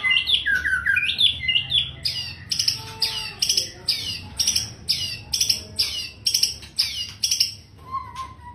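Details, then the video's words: Long-tailed male white-rumped shama, a father bird, singing: clear high whistled phrases at the start, then a rapid series of sharp, buzzy repeated notes, about two per second, ending with a lower whistle. "CHIM CHÍCH CHÒE BỐ ĐUÔI DÀI HÓT HAY"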